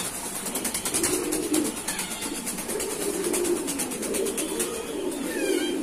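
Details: Kept pigeons give low, rolling coos in several bouts, accompanied by a rapid ticking or clicking noise and a faint high chirp near the end.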